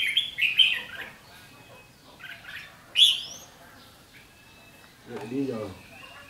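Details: Ché fighting song of a red-whiskered bulbul threatening a decoy at a trap on 7 July 2016: a rapid run of chirpy notes, then a single upward-swept whistle, followed by a man speaking softly.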